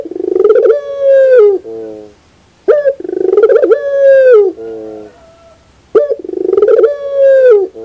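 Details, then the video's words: Morning song of a puter pelung dove, three full phrases roughly every three seconds, each a rolling stuttered start drawn into a long level coo and ending in a soft, lower, buzzy tail. "the beauty of the sound of puter pelung in the morning"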